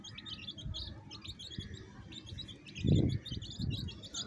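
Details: Baby chicks with a hen: steady high peeping runs throughout, with a low thud near the three-second mark and a low background rumble.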